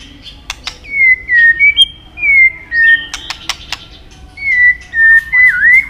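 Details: White-rumped shama in a training song of long phrases: drawn-out clear whistles, level or gently falling, spaced with sharp tack clicks.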